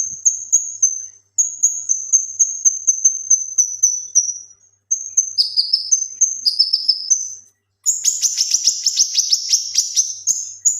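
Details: Male cucak kinoi leafbird in lively song, meant for training other birds: a long steady string of high piping whistles, then mixed falling slurred notes, and finally a fast rattling buzzy trill.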